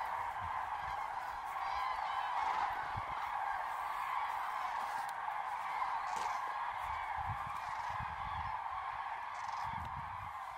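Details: Large flock of common cranes calling together at a Hungarian roosting place, an unbroken chorus of countless overlapping trumpeting calls lasting the whole stretch, with occasional low rumbles below.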